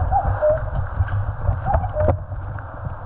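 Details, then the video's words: Cuckoo in Korean mountains giving two falling two-note calls about a second apart, partly masked by loud low rumbling and scattered knocks. "청량한 뻐꾸기 울음 소리. Cuckoo chirping in the mountains."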